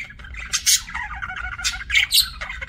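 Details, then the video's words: Budgerigar chirping: busy warbled chatter punctuated by loud piercing squeaks and squawks, several in under three seconds, with a low hum behind. "BUDGIE CHIRPING SOUNDS"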